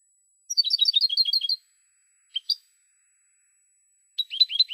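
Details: European goldfinch from a Spanish competition song recording: rapid runs of bright, tinkling high notes repeated in quick succession, a short pause, a brief double note, then another twittering burst; no other sounds.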